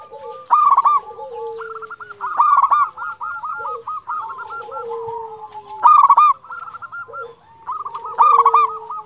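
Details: Lively local zebra doves: loud vibrant trilled phrases about every two seconds, linked by rapid bouncing coos and lower sliding notes.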